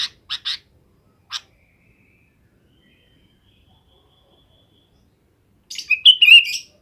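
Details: Afternoon calls of a sooty-headed bulbul summoning its companions to roost: three or four sharp chirps, a pause of several seconds, then a bubbly, warbling burst of whistled notes.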